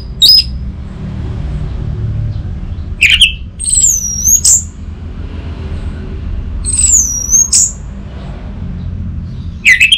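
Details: Orange-headed thrush, caged bird in Bali, song with sparse loud phrases: a sharp high note, then swooping whistled slurs near the top of the range, separated by pauses over a low steady hum.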